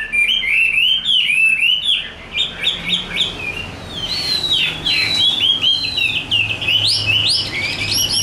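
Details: Tame, large-bodied Chinese hwamei in fighting display, pouring out a rich run of loud, varied whistled phrases that slide up and down, with rapid chirps woven between the longer notes.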